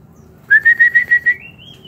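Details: Kept white-rumped shama in an aviary: six loud, clear whistled notes repeated quickly at a steady pitch, flowing into a long, thin whistle that climbs slowly.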